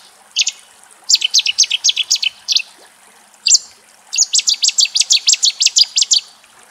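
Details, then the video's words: Cetti's warbler song, Axios Delta National Park, Thessaloniki, Greece: loud, sudden phrases of rapid, ringing notes, with two long volleys of about ten notes each and a few short starts between them. "Cetti's warbler song"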